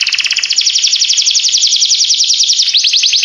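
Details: Canary singing a sweet, relaxing melody: a rapid, even trill of high buzzy notes that runs almost the whole time, then breaks into quick rising-falling sweeps near the end.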